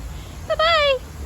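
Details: Galah cockatoo at a zoo park, interacting with a person saying goodbye, uttering a short clipped note then a longer tonal, harmonic sound that slowly falls in pitch, over low background hum.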